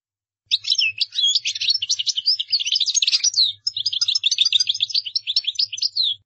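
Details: Goldfinch song as two long, energetic phrases of rapid, high-pitched chirping and twittering trills, separated by a brief break.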